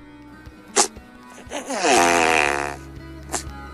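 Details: Music plays with sharp clicks near the start and end and a harmonic, voice-like swelling tone in the middle; no animal sound.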